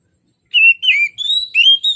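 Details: Oriental magpie-robin in morning song, a lure for birds reluctant to sing: a quick string of four or five bright whistled notes, some flat, some rising, after a brief silence.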